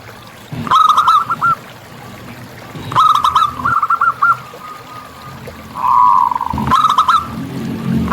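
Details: Wild local zebra dove in full song: three short bursts of quick, clipped coo notes separated by quiet pauses, with a faint rustle in the background.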